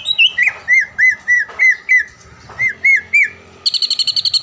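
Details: Greater green leafbird, caged and a champion at events around Palembang, singing for a training recording. Clear whistled notes repeat about three per second, then a quick high twittering trill.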